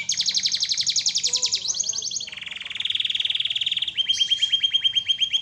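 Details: Masteran canary song: a loud rapid high trill, a drop to a lower buzzing rattle, then an evenly pulsed trill of crisp repeated notes.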